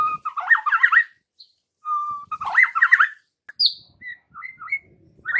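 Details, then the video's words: White-rumped shama lure song aimed at young forest-caught birds. Lower wavering warbled phrases with short steady whistles between them, then scattered sweet upslurred notes. "Pancingan Murai Batu MUDA HUTAN dan PASTOL agar GACOR NGEPLONG"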